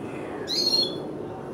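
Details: A 10-day-old red siskin chick calling while being hand-fed: a single thin, high, slightly rising squeak lasting about half a second, over a low steady background hum.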